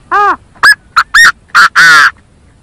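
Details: Chinese francolin call used as a lure, a rapid phrase of about six loud, harsh, harmonic-rich notes, the first arched, the last longest and rasping.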